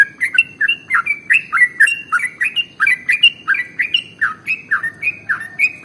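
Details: Trucukan (sooty-headed bulbul) in a long ropel song for prompting other birds: brisk sequence of bright whistled notes, many sliding down in pitch, given in paired bursts at a lively pace.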